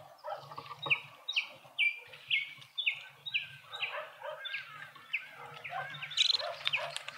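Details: In a suburban garden in Pretoria, South Africa, Speckled mousebirds feeding together produce a dense, quick chatter of clipped descending notes, many per second, with a low background hum.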